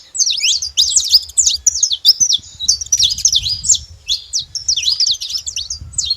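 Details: Wild flock of saffron finches feeding at a bait spot in nature; many high, bright chirps and quick slurred notes overlap in a busy, continuous chatter with short gaps, plus faint low background rumble.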